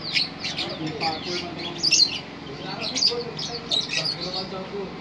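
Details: Long, unbroken trill from a lovebird: fast, high-pitched chattering chirps strung together without pause for five seconds, with a faint low hum underneath.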